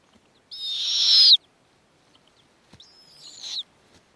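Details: At a snowy owl nest where the female feeds offspring with prey brought by the male: two high, hissing screeches, the first loud and lasting about a second, the second softer after a pause.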